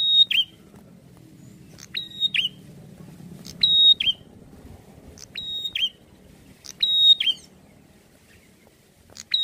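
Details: Singing prinia (prenjak) repeating a bright phrase roughly every one to two seconds: a clipped click, a level high whistle and a falling twisted end note, with quiet gaps and a soft low rumble behind.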